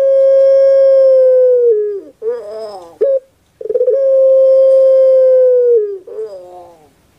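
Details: Soft-voiced puter pelung dove kept in Indonesia: two long drawn-out even hoots, each ending in a downward slide, separated by a throaty rolling gurgle and a short pause.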